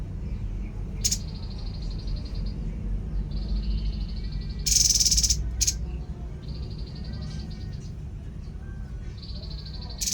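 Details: Babbler (tepus) alternating long, level, high trills with occasional sharp notes and one extended, loud, harsh chatter midway, over a persistent low rumble.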